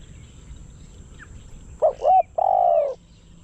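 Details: Spotted dove kept as a decoy bird to lure wild doves, Thailand; after quiet, a short rising coo, a second clipped note, then a long loud drawn-out coo, low and mellow.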